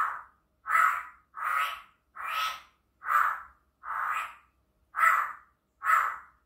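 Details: Chinese hwamei, played to provoke a lazy bird into singing: eight harsh, rasping bursts, each roughly half a second long, repeated a little more than once a second with short silent gaps; nothing else is audible.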